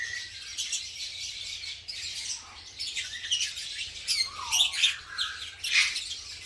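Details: Green-type masked lovebirds in a breeding colony, pairing up and building nests: overlapping shrill, harsh chirps and squawks in irregular bursts, several birds calling at once, with a few lower swooping notes.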